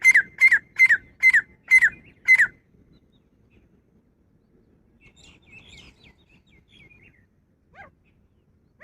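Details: Female grey francolin giving a quick run of six loud, harsh descending notes, about two per second, followed by quiet with faint chirps from other birds in the background.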